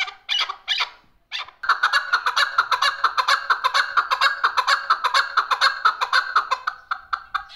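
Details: Chukar partridge calling on June 18, 2023: a few hoarse, scratchy notes, a brief gap, then a long run of loud, rhythmic cackling chuk notes repeated about twice per second.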